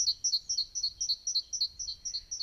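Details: Great tit calling near a shady coffee stop on a hike through the Cheviot Hills in Coquetdale, Northumberland: high two-note phrases repeated rapidly and evenly throughout, with faint low background rumble.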